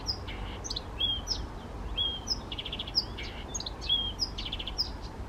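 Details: Male Blyth's reed warbler, the first Czech record, at Bukovský pond near Těchařovice on 19 June 2014, singing spontaneously: a lively, varied phrase of sharp high whistles and short buzzy trills, about once a second, over low rumble.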